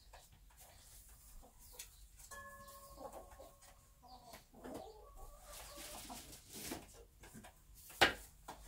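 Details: Bantam hen sitting in her nest on a small backyard farm, murmuring low clucks, with one drawn-out tonal call in the middle and a sharp knock near the end.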